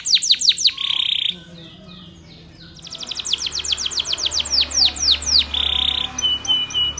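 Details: Canary of the Spanish Timbrado type singing a training song: quick descending metallic notes and a buzz, a short lull, then a long series of falling chirps ending in a buzzy trill and whistles.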